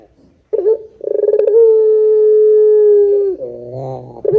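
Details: Barbary dove giving a lure coo: after a brief silence, a vibrating rolling start swells into one long, even, low note lasting nearly two seconds, then drops into a deep, buzzy closing phrase.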